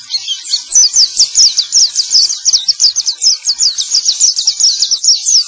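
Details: High-pitched male white-eye song played to coax birds that have stopped singing, a fast steady series of short downslurred whistles repeated about two to three per second.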